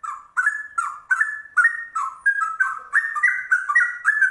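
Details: Rare trucuk bulbul singing ropel, its rapid string of mellow whistles resembling a straw-headed bulbul, with paired notes and rising steps that grow slightly higher toward the end.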